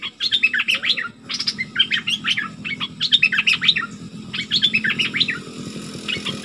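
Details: Excited flowerpecker delivering quick clusters of thin, high twittering notes in bursts of about a second, separated by brief gaps, with a faint low hum behind.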